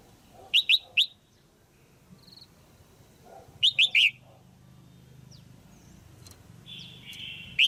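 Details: Female red-whiskered bulbul, a cage bird, calling to stimulate a male or for pairing: two groups of three rapid, bright chirping notes about three seconds apart, followed by softer, longer whistled tones and a final sharp chirp.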